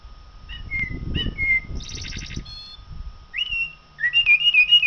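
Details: Song of a common blackbird, with short whistled notes and a high rattling twitter, a pause, then louder rich warbled whistles that rise and fall in quick succession at the end.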